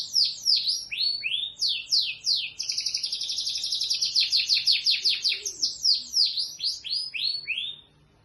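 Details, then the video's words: Local canary (kenari lokal) in full song: quick descending whistled notes, a long rattling trill of rapid repeats, then more clear downward-swept phrases before it stops. "#burungkicau #kenari #kicaumania #Burungkenarilokal"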